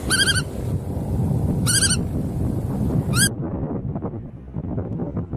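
Bar-tailed Godwit giving three quick bursts of nasal, reedy chattering notes about every one and a half seconds, over a steady low rumble of wind or surf.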